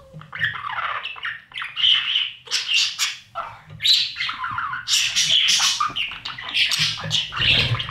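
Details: Budgie chicks in a nest box receiving food from their parents: repeated bursts of loud scratchy squeaking and chattering, each roughly a second long, with short pauses.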